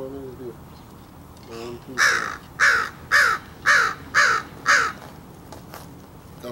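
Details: Crow being fed and cawing at something, giving a steady series of six loud, rasping caws spaced about half a second apart, preceded by soft low harmonic murmurs and light background hiss.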